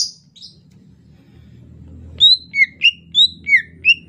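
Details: Greater green leafbird singing in the rainy season, a soft ocehan lemas style song: after two faint opening notes, a rapid series of clear whistled notes alternating between higher and lower pitches, about seven in under two seconds, over a low hum.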